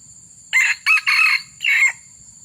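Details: Short crow of a red junglefowl used when luring wild junglefowl, four harsh bursts with a long middle phrase and a falling close, set against a continuous high-pitched whine and faint low rumble.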